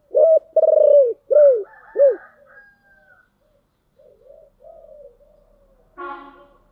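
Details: Spotted dove giọng thổ song: a rolled coo and three short arched notes in quick succession, then soft twittering of other birds and a brief harsh call at the end.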